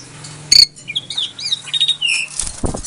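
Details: Captive-bred Asian pied starling in Klaten, Indonesia, used as a lure for silent starlings: soft warbled whistles slurring up and down, a single sharp note at the start and a rougher burst at the end, with a low hum behind.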